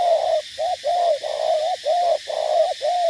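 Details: Spotted dove (cu gáy) from Cà Mau, a decoy bird used for dueling wild doves, cooing steadily; a run of low, mellow hooting notes, some short and some drawn out, delivered with little pause in a throaty, rolling rhythm.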